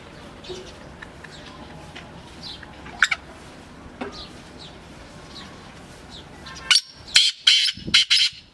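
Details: Black francolin (kala teetar) giving its masti call. Faint chirps and scattered ticks come first, then a burst of loud, harsh, broadband nasal notes near the end.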